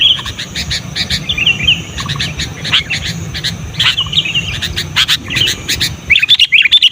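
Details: Calls of a sooty-headed bulbul used to attract wild birds and as a training model for caged ones: scattered sharp chirps and short twittering phrases with irregular gaps, over faint low background noise.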